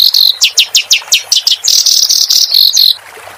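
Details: Clamorous reed warbler singing, recorded for training cage birds. About ten evenly spaced, sharp descending chips lead into a sustained buzzy trill, then the song stops abruptly.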